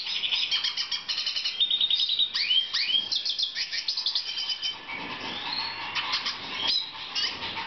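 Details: Black siskin during breeding, 2014: a rapid, chattering song of clipped high chirps, sweeping upward slurs and short buzzy trills. It turns softer and more scratchy toward the end.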